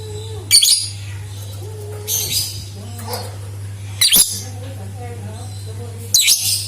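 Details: Lovebird singing, a recording used as a lure to prompt other lovebirds to sing; four short, harsh, high chattering bursts about every two seconds, with a steady low electrical hum and faint lower tonal sounds between.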